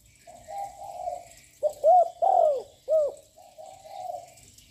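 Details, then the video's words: Young spotted dove with a loud voice, cooing continuously to provoke other doves: soft blurred coos, then a burst of three loud, ringing, bent coo notes, the middle one longest, followed by further soft coos. "Chim cu gáy tơ giọng lớn kích bổi căng lửa ngay / gáy liên tục"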